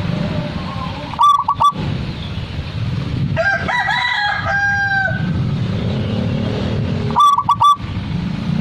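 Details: Zebra dove coos in two separate three-note phrases near the start and end; between them another bird gives a louder, higher, wavering call, all over a low steady background rumble.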